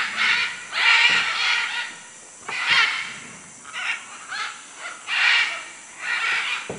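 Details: Manu, Peru macaws screeching in uneven bursts, some drawn-out and rasping, others clipped, with brief quiet spells between groups of calls.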